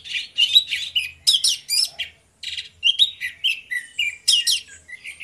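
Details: Two orange-headed thrushes delivering gacor ngeplong song: choppy, energetic phrases of high whistles and scratchy chirps, each lasting under half a second, repeated in steady succession with one brief silence.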